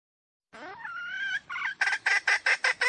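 A junglefowl gives a short, rising, strained crow, then a quick run of about six loud clucks, one every fifth of a second.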